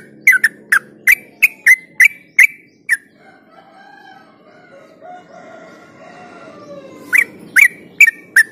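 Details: Trucuk (yellow-vented bulbul) ropel song, played to stimulate other bulbuls into vigorous singing: quick repeated chirps for three seconds, a pause filled by faint softer whistles, then the chirping run resumes.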